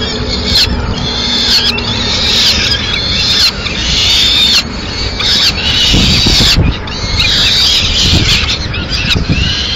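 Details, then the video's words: Peregrine falcon in Madrid on 30 April 2016, the female arriving with the remains of a pigeon; several scratchy, wailing call bursts rise above a heavy roar of road traffic. "Merienda tardía_Halcón peregrino"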